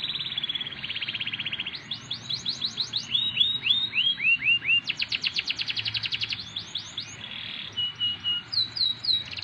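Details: Canary song of varied phrases: buzzy trills, slurred swoops and quick bursts of repeated chirps, with light background noise.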